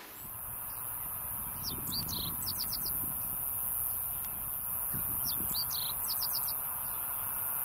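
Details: Meadow bunting, a familiar Japanese bird whose song is rendered "ippitsu keijō tsukamatsuri sōrō", sings two brisk, high, twittering phrases of quick notes about three seconds apart over a low background rumble.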